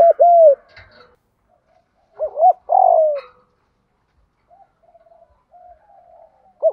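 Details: Decoy spotted dove in 'gù thúc' urging coo style for luring doves: a falling coo, a full phrase of wavering double note plus long descending coo, then quiet soft notes and another coo starting.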